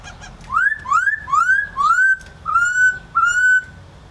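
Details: Laughingthrush singing a series of six clear, rising whistled notes, each about half a second long, that level off and flatten toward the end, with a faint low hum underneath.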